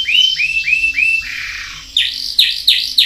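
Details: Canary singing four upward-curved notes, a long descending slur, then sharp loud falling notes spaced about a third of a second apart.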